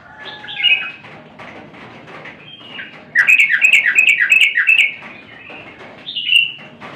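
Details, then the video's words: Lively yellow-vented bulbul song, a short burst of rapid, bright chirped notes in the middle between quieter, looser warbles. "suara burung Trucukan sedang gacor"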